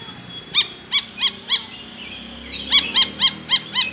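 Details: Lory making shrill calls likened to a kuntilanak ghost: two bursts of four or five sharp, piercing screeches spaced about a third of a second apart, separated by a short pause.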